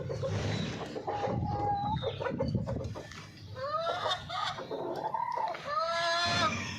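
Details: Golden Misri hens giving drawn, slightly rising cackles and short clucks, several overlapping birds calling in rough succession over a low background hum.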